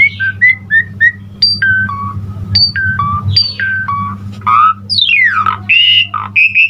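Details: Busy, varied Asian pied starling song intended to train and provoke other starlings: clipped whistled notes stepping up and down in pitch, followed by long buzzy descending sweeps and a sustained whistle, over a low droning hum.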